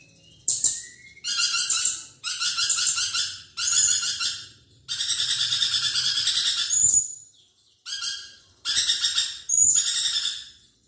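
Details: Lorikeet in energetic chattering song, recorded as training material for magpie-robins. Grating, buzzy bursts of one to two seconds are broken by short silences, with a thin, sharp whistle slipping in between some bursts.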